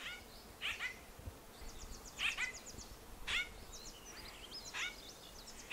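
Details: White-winged grosbeak (Mycerobas carnipes) giving short, bright, slurred call notes about every one to one and a half seconds, with thin high twittering from other birds behind.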